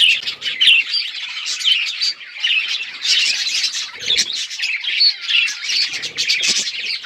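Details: Budgerigars in a group playing together, recorded October 30, 2023; busy scratchy warbling and squawky chirps, phrases rising and falling, with a few taps and clicks.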